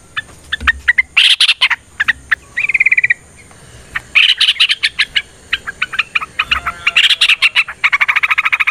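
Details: Yellow-vented bulbul in fighting song with long rolling trills, played to coax other birds into song: scattered sharp chips, a short buzzy trill, then rapid chattering runs that build into a fast rattling finish.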